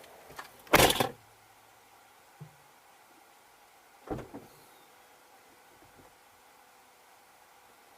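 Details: Quiet background broken by a loud mechanical clunk near the start, a short low thud, then another knock around four seconds, like car doors or electric windows, with no animal voices.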